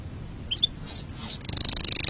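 Canary song: a few short chirps, two long descending whistles, then a fast rolling trill of about fifteen notes per second.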